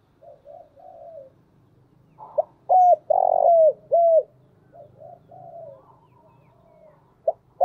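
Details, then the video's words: Decoy spotted dove calling: faint low coos, then a burst of four loud hollow cooing notes with a drawn-out middle note, then quieter coos trailing off before another loud note begins. "tiếng chim cu gáy mồi chuẩn cực hay vang một vùng"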